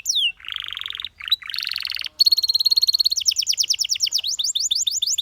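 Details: Canary song for training: a descending whistle, then harsh buzzy rattling phrases broken by short pauses, followed by a high steady trill and a fast series of bright sweeping notes.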